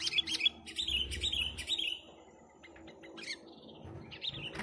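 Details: Sooty-headed bulbul in chatty song used for luring: about two seconds of quick, bubbly whistled notes strung together, then a quieter stretch with a few faint chirps and a short warble at the end.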